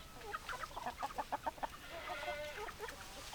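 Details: A hen clucking in a quick run of short, evenly spaced notes, about three or four per second, followed by a drawn-out, slightly nasal trailing call, with other fowl faintly audible behind.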